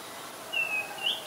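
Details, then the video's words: Oriental magpie-robin in Ubon Ratchathani, Thailand, 2 July 2022, recorded with a Nikon P1000; two brief clean whistled notes, the second slightly rising. "นกกางเขนบ้าน Oriental Magpie Robin (singing)"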